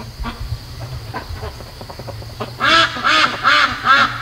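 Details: Backyard ducks on day 73 of rearing, restless at 3 AM; soft clicks and shuffling first, then from midway a run of four loud, evenly spaced nasal quacks about every third of a second.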